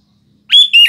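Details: Sooty-headed bulbul kept as a lure bird for morning, afternoon and night, giving two loud, clear whistled notes in quick succession, the second slightly lower and slurring downward.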